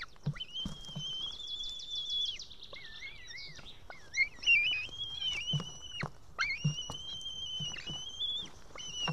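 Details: Young female white-tailed eaglet at a nest camera in Estonia, evening of 8 June 2018, calling for help to be fed after failing to tear a live fish. Long drawn whistles, level then dropping, with shorter wavering notes and faint nest rustling.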